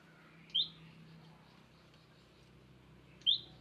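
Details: Wild olive-backed tailorbird stopping by to visit, giving two short, sharp, upward-flicking high notes about three seconds apart over a quiet background.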